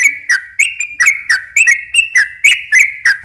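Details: Sooty-headed bulbul giving gacor ropel song to lure bulbuls: a short run of ringing whistled notes, each with a clicky onset, about three and a half per second.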